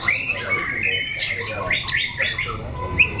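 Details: White-rumped shama, a loud-voiced contest bird, gives scattered whistled notes and short buzzy bursts, softer and more spaced out, with low background rumble.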